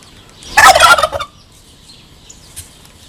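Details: Courting turkey giving a single loud, rattling gobble lasting under a second, a dense burst of rapid throaty notes that fades quickly into quiet background.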